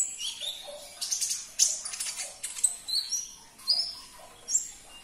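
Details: Sunbird twittering with sharp, very high whistled notes and squeaky chirps in quick irregular bursts, a recording intended to coax a caged sunbird into singing; faint watery background.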